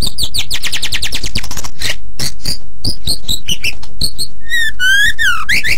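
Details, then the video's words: White-rumped shama singing strongly as a master for other birds: a rapid series of about a dozen repeated sharp notes, scattered chips, then fluty whistled slurs rising and falling near the end. "Suara Burung Murai Batu Super Gacor Untuk Master"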